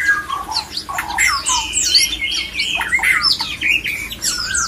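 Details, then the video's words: Male murai batu (white-rumped shama) calling to stir other shamas into breeding condition. Varied fluty whistles, some long and level, alternate with rapid scratchy chips in a busy, unbroken phrase. "JAGONYA MENGAJAK MURAI LAIN IKUT BIRAHI AMPUH MEMANCING BIRAHI PASANGAN MURAI"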